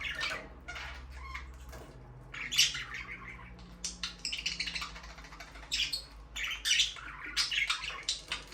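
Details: Budgerigar chatter at moderate loudness: scattered scratchy chirps become denser and livelier toward the end, over a low droning hum.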